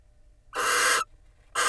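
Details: Barn owls in a nest box in Israel preening each other while the female incubates, 9 March 2021; two harsh, hissing broadband screeches, the first about half a second long, the second cut off at the end.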